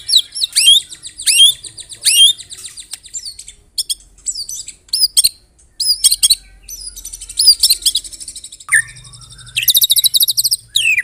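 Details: Murai batu delivering loud song with canary and cililin imitations: hooked whistles, sharp ticks and short rattles, quiet gaps, then long buzzy trills near the end.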